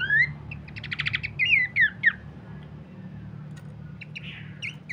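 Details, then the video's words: Horsfield's babbler song used as a training master and lure: a rising whistle, a rattly burst, then a few falling slurred whistles, fading into scattered faint clicks and sparse notes. "pancingan dan masteran terbaik mewah khas burung pelanduk semak"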